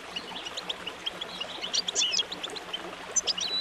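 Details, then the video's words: A goldfinch's rapid, tinkling twitter of short high notes and trills runs without pause, over a faint low hum; song used for training goldfinches to sing clearly. "Training A Goldfinch To Singing Clearly"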